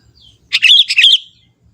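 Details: Young forest sooty-headed bulbul sings a rich, fluid phrase of warbled notes in two joined bursts, bubbling and slightly buzzy, about three quarters of a second long, with a soft distant note before it.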